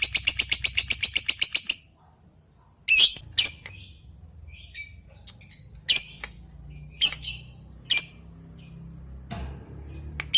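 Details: Lovebird calling an opponent: a short, fast ngekek trill of high pulses, then a pause and a scattered series of harsh, sharp squawks and chirps at irregular intervals.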